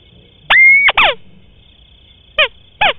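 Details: White-browed crake, recorded for luring birds in wetlands and rice fields: level whistled note ending in falling nasal notes, followed by two short, sharply descending chirps about half a second apart; faint steady high hum.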